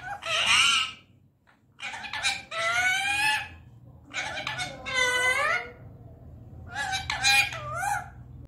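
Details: Indian ringneck parakeet talking: speech-like phrases of rich, warbling harmonic sounds in bursts of one to two seconds, with short pauses and rising and falling inflections.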